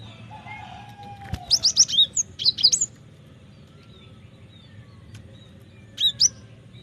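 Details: Cinereous tit, or gelatik batu, in full song for bird training: a loud string of about eight rapid high whistled notes after a sharp click, then a brief pair of similar notes later, over faint background sounds.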